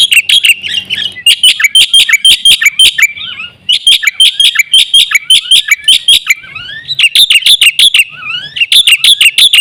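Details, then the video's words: Lure recording of a Black-winged myna singing vigorously. Dense, fast chatter of sharp, metallic notes broken by rising and falling slurred whistles and short pauses. "suara jalak putih gacor full isian sekali pancing burung jalak satu rumah ribut gacor"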